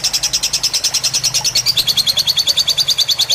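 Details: Tutor recording of a fighter lovebird, with trickling water meant to relax learning birds: quick, regular high-pitched chirping, roughly three notes a second, over a soft low hum.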